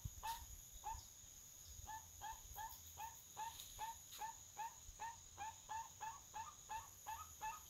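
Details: Forest-dwelling crested guan calling near a farm in Panama: a rapid run of brief, nasal, upward-inflected yelps, roughly twenty in under eight seconds, with a continuous high insect hum in the background.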